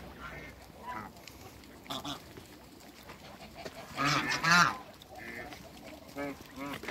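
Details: A trio of African geese, two males and one female, in a backyard: scattered soft nasal calls build to a loud double honk midway, followed by quicker, quieter notes.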